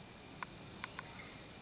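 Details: Oriental magpie-robin on a farm in Kanhangad, Kerala, India, on 7 April 2019, apparently planning to nest in an arecanut tree hole, gives a single thin, high whistle of about half a second, rising slightly, after a few soft clicks.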